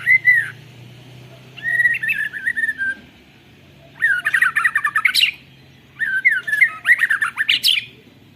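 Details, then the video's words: Caged white-rumped shama with canary-style song, recorded on a phone, singing four bursts of varied warbled phrases, mid-pitched whistles rising into rapid high twittering trills, separated by short pauses. "Burung murai batu isian kenari full ngeroll panjang"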